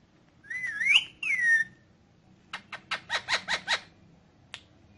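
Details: Green ringneck parrot, shown talking in Urdu/Hindi, gives a two-part wavering whistle, rising then sliding down, followed by a quick string of six clipped, evenly spaced syllables and one last click.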